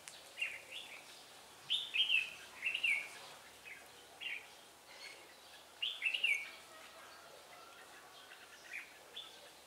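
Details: Decoy red-whiskered bulbul singing during a trapping session in Vietnam, 17 December 2016: quick clusters of clear, slurred whistles in bursts around two and six seconds, separated by quiet, with light background noise.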